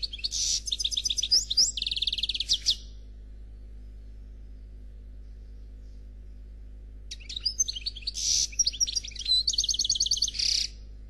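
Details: Khalwi song from a black European goldfinch, faultless: a near three-second burst of high trills and buzzy twitter, about four seconds of quiet hum, then another long phrase of rapid repeated notes and bright chirps.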